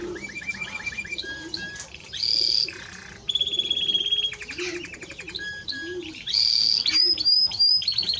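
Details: Timbrado Español canary singing: short rising trilled notes, a piercing high whistle, then a steady held tone and rapid rattling rolls, with soft low cooing in the background.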